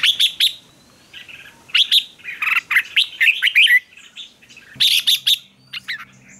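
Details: Fighting song of red-whiskered bulbuls, played to train birds to sing: loud separated bursts of chirps and rolling warbled phrases with brief pauses between, ending with a faint low hum beneath.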